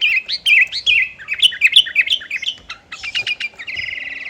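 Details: Sooty-headed bulbul singing actively to provoke rivals to join in: a steady run of bright, swooping whistled chirps, roughly three per second, ending in a brief buzzy trill.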